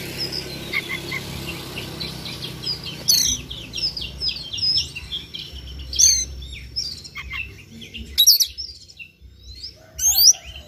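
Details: White-rumped shama singing in the morning as a lure to stimulate another bird to sing: varied high whistles, trills and sharp chirps, bursts of louder phrases from about three seconds on, with a faint low hum beneath.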